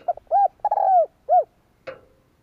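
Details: Spotted dove coo, played to stimulate males in training: a short lead note, a mellow coo, a long wavering coo and a closing short coo, followed by a single sharp click.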